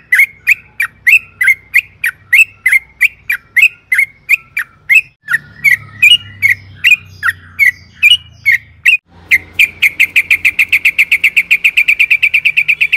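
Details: Yellow-vented bulbul singing a long rapid roll for luring: steady run of clipped chirps that speed up near the end into a fast, even trill, with low hum in the background.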